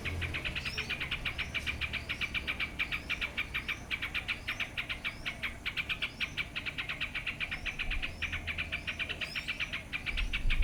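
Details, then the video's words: Yellow-vented bulbul giving a fast, steady chatter of bright mid-pitched notes, with thin rising whistles above and low traffic rumble beneath. "เสียงนกปรอดหน้านวลก้นเหลือง Yellow vented Bulbul"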